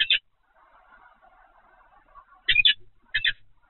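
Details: At Evoluon on 7 February 2020, 15:55, a peregrine gives three harsh, grating call bursts, the first brief and the last two close together, with a soft rumbling murmur between them.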